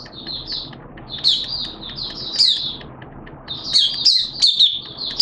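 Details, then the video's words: Malaysian Oriental white-eye singing high, thin downslurred whistles in short runs, partly subdued by steady broadband background noise, with louder bursts near the middle and end. "Malaysian Mata Puteh Buka Sing"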